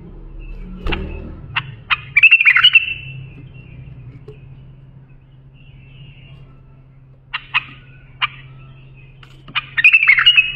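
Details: Bulbul phrases used to tutor young bulbuls: a handful of sharp chip notes, a bright fluttering warble, a long quiet stretch, then more chips and another warbled burst, accompanied by a persistent low hum and a brief thud.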